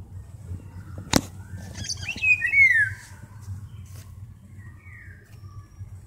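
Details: Golden oriole pair at a window, the male calling his mate as she answers in kind from elsewhere; one clear, slurred, downward-sliding whistle after a loud knock, followed by a fainter distant whistle note.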